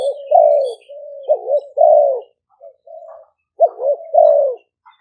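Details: Decoy spotted doves, Malay and Phat Phon strains, singing in the exchanging style at a camp in Roi Et, Thailand. Husky falling coos overlap with level coo pairs, suggesting two birds calling at once.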